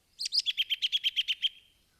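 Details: American robin (Turdus migratorius), whinny call: given when excited or upset about something.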